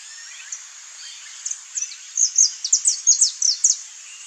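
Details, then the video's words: Saffron finch (Sicalis flaveola), free in the wild, singing a run of high, sharp chipping notes that grow louder and quicker in the second half, over a steady high insect-like hiss. "CANTO do CANÁRIO-DA-TERRA (SICALIS FLAVEOLA), SAFFRON FINCH"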